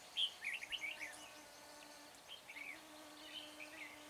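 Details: Decoy red-whiskered bulbul singing at a trapping site at Chùa Hương, 24 March, to draw in wild bulbuls: a burst of lively chirps and twittered whistles, then softer distant phrases against a faint steady hum.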